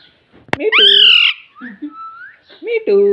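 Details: Pet ring-necked parakeet, a talking parrot, imitating the word 'mummy' indoors: a sharp click, then a loud, voice-like harmonic phrase, a brief rising whistle, and another short word-like utterance.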